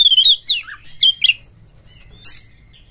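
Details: Kacer (oriental magpie-robin) singing to coax other magpie-robins into song and tail-fanning: a burst of rapid, tumbling whistles and slurred notes, then a brief harsh rasp and a faint closing note.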